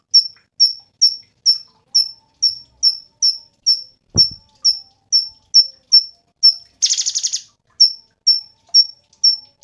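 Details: Cungkok in full voice, giving a steady stream of sharp high chips about twice a second, with one short buzzy rattle and a faint low thump.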